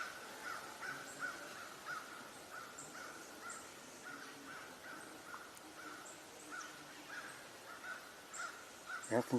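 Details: Faint, harsh crow caws from a distance over a quiet outdoor hum, one louder rasping call at the end, heard on an October 18, 2025 walk with light precipitation; the call sounded like an alert.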